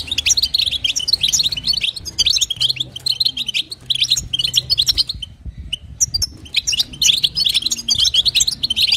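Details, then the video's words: Female European goldfinch call used to stimulate the male: quick, bright twittering notes in busy bursts, pausing briefly around the middle before resuming. "نداء انثى الحسون لتحفيز طائر الحسون"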